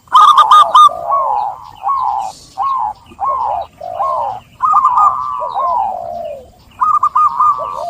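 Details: Zebra dove song: bursts of rolling, bubbly notes near mid pitch, some rising and some falling, in short phrases separated by brief pauses. The phrases overlap, as if from more than one bird.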